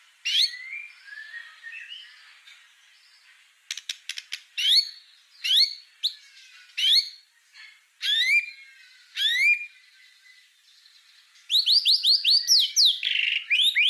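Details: Murai batu, the white-rumped shama, in a tutoring master recording of 'full tembakan' song: scattered upslurred whistles and sharp clicking bursts separated by pauses, ending in a dense rapid volley of high notes.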